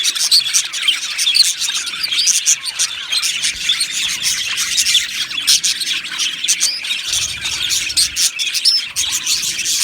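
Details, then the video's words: Aviary colony of Australian budgies: dense high-pitched chirping and warbling song, many birds calling at once in a steady, scratchy chatter for about ten seconds. "Beautiful Budgies Singing and Chirping Sounds"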